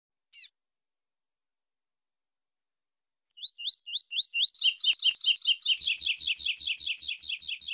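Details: Captive-bred black double-collared seedeater performing the classic song style: a single high note, then rising slurred whistles repeated about every half second, breaking into a fast, steady run of buzzy two-part notes with faint low thumps underneath.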